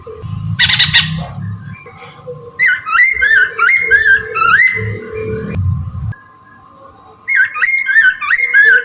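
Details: Chinese hwamei in morning song, played as a lure: series of loud, looping whistled phrases with sharp upward slurs, repeated roughly every half second in two bursts, over low rumble and a constant hum.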